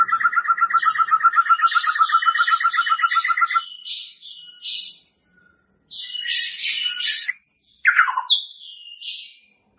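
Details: Training song of a white-rumped shama for caged birds to learn from: a long fast rattling trill of repeated notes, then varied buzzy and whistled phrases with a sharp downslurred note near the end.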